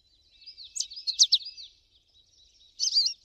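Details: American goldfinch song outdoors: softer, slurred warbling phrases with sweeping high notes, a pause, then a brief louder twittery burst near the end.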